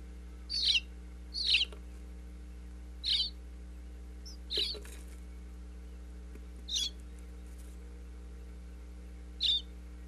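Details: Baby bluebird nestlings inside a Pennsylvania birdhouse, recorded close up with a wireless microphone as parents visit with food: six short, high, scratchy chirps at irregular intervals over steady low electrical hum.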